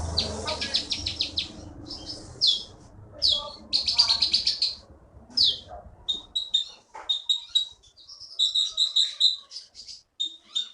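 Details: Caged champion songbird, caught in the forest of Bangka, Indonesia, a prize-winner at Bangka Belitung contests, singing rapid high chittering bursts and sharp trills, with short pauses between phrases and a faint low rumble at the start.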